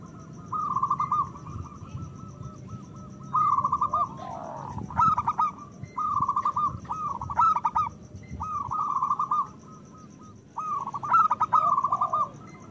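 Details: Zebra doves of the local type in loud, lively song meant to rouse breeding desire in other doves: regular bursts of rapid, rhythmic cooing notes at a steady pitch, about six phrases with short gaps, over low constant hum.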